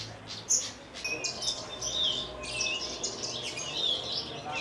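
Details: Caged Javan bush lark native to Kulon Progo, Indonesia, singing in the Jambul style with wing trembling. A sharp chirp opens into a steady, high, chattering warble of quick notes and short whistled slurs.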